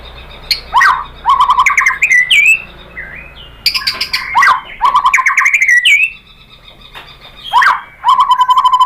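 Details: White-rumped shama lure song aimed at provoking another shama: sharp downslurred notes followed by buzzy trilled phrases, repeated in bursts with brief quiet gaps.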